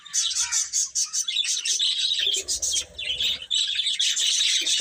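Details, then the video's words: Baby chicks chirp continuously while eating and playing, high piercing peeps overlapping in a loud chorus, with a muffled rustling or pecking noise in the middle. "Baby Chicken Chirping Sounds"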